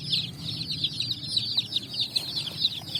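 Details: Brightly coloured chicks on sand at evening, foraging; a continuous chorus of shrill, quick descending peeps, many birds calling over one another above a low background rumble.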